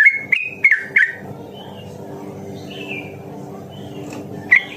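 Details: Sooty-headed bulbul song used as a lure to stimulate other bulbuls into fast, lively singing; a quick burst of clear chirped notes in the first second, a softer whistled note near three seconds, then one more chirp over a low steady hum.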